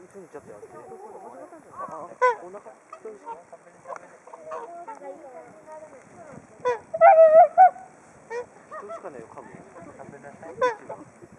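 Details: Whooper swans gathered at Hakuchodai Sebat, Onuma–Konuma, waiting to be fed; a chorus of soft nasal honks and trumpeting calls, with a loud burst of repeated bugling around the middle, otherwise quiet surroundings.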